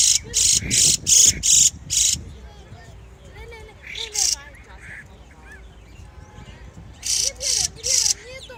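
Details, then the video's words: Spring birds singing: bursts of loud, dry, rapid chirps in quick runs at the start and end, with softer curving whistled notes in between. "Lovely singing spring birds"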